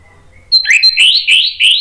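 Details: Orange-headed thrush, a lure recording for a bird that has stopped singing; a brief loud run of rapid slurred whistles rising and falling, four or five notes in under two seconds.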